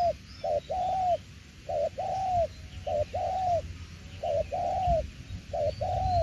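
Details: Cooing spotted dove in đồng tiểu liên style, repeating a two-part phrase of a short low note and a longer bowed coo about every second, five phrases in a row, with light background noise.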